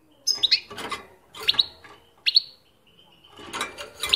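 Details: European goldfinch, kept caged, singing wildly after hearing its favourite song played back: quick twittering phrases with bright high notes and short buzzy slides, broken by brief pauses.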